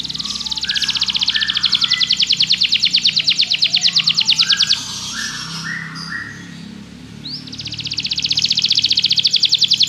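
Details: Belgian canary singing to draw other canaries into song during training: a long, fast, high rolling trill for several seconds, a pause, then it starts again, with softer, lower chirps and a faint background hum.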